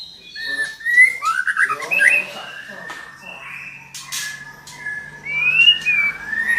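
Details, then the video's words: Female white-rumped shama giving calls meant to provoke a male to sing: bright slurred whistles mixed with scratchy chattering squawks and clicks, ending in a rising whistled phrase. "Suara murai betina memancing murai jantan gacor"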